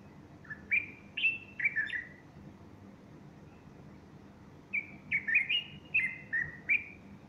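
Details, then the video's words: Bulbul song on the morning of Sunday 30 August 2015, female close by fluffing her feathers; two bursts of rich, liquid whistled notes separated by about two seconds of quiet, each burst with several quick slurred phrases. "البلبل يغرد"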